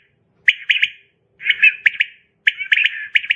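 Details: A female common quail, a sound used to lure quail for hunting, gives three raspy, buzzy bursts about a second apart, each a quick run of harsh pulses, with no other sounds.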